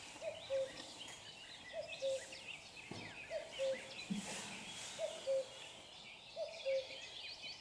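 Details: Close-up recording of a common cuckoo repeating its soft, hollow cu-coo roughly every one and a half seconds, five times, over a busy background of other birds' twittering songs.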